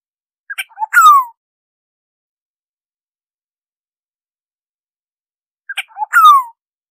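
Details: Oriole recorded for bird surveys, giving two nasal, mewing slurred notes that fall in pitch, each introduced by brief clicks, repeated about five seconds apart against silence.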